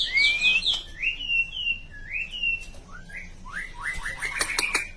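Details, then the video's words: White-rumped shama chirping: a rising whistle, then a string of sliding whistled notes and quick upward chirps, growing busier toward the end. "white-rumped shama chirping style"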